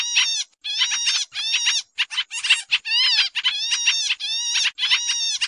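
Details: Sooty-headed bulbul chatter used as a trapping lure, noisy: rough, buzzy bursts of stacked notes, some arching down, repeated in quick succession with short gaps and a quiet background.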